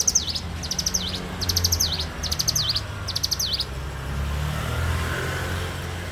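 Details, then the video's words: In the morning a bar-winged prinia repeats short trills of sharp, high ticks, each finished by a quick falling-rising slur. Four phrases run back to back before a vehicle rumble takes over the background. "suara alam cigun gacor dipagi hari"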